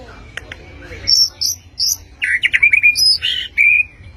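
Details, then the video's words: Blorok white-rumped shama firing sharp song: three high piercing whistles, then a dense, scratchy trilled burst and a clean sustained whistle, with constant low hum behind. "Murai Batu Blorok Nembak Tajam"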